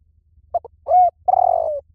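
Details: Spotted dove cooing, played to lure and train doves to counter-sing: two short low coos, a pause, then a rounded coo and a long, slightly falling, drawn-out coo, all on a low pitch.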